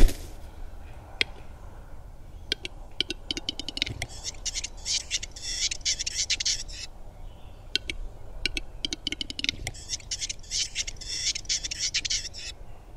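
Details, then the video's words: Western capercaillie lekking, its display song made of dry clicks that quicken into a rapid run, then a long hissing, scraping phrase; the sequence repeats twice, over low background rumble. "Звук глухаря: какие звуки издаёт глухарь?"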